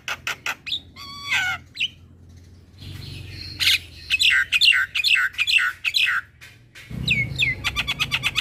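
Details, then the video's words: Gacor Javan myna singing a masteran to teach young mynas: rapid clicking notes, a stacked whistle, then a lively series of harsh downslurred squawks, ending in fast chattering pulses. "Jalak Kebo Gacor Masteran Bikin Burung Jalak Muda Jadi Pintar Berkicau"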